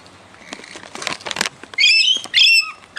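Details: A wild rainbow lorikeet, a regular visitor fed raw sugar, gives two harsh, shrill screeching calls, each about half a second, after a stretch of fluttering wings and rustling.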